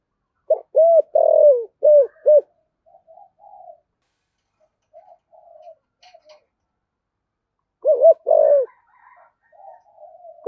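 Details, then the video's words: Decoy spotted dove with a 'thổ' style voice, giving urging coos: a burst of four or five deep coo notes, then quiet soft murmurs, then another burst of low coos near the end. "Chim Cu Mồi/ cu gáy giọng thổ thúc gù"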